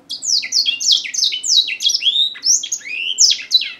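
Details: African grey singing finch giving a fast, continuous song of high, sharp downslurred and upslurred notes, tumbling and varied with no pause, in a quiet small room.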